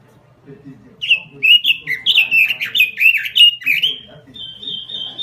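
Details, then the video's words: Robin singing gacor, a vigorous nonstop song: a thin steady whistle, then a fast run of rich, slurred, warbling phrases rising and falling, ending in a long high level whistle; faint low murmurs in the background. "SUARA BURUNG ROBIN GACOR"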